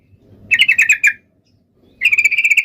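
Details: Fighting song of a yellow-vented bulbul, used to make other bulbuls answer: two short, fast bursts of rattling, buzzy notes, the second flatter and more even, split by a second of silence.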